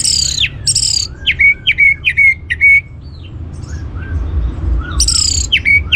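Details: Orange-headed thrush song used to stir other birds into singing: a short high buzzy burst, then a run of quick downslurred whistled notes repeated about twice a second, ending with another high burst over a low steady hum.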